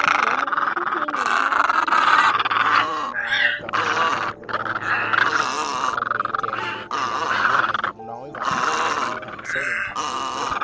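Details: Egret calls, black-billed and yellow-billed great egret, used as a night lure to draw migrating birds into nets: harsh, grating croaks and groaning squawks crowd together almost without pause, with brief gaps at intervals.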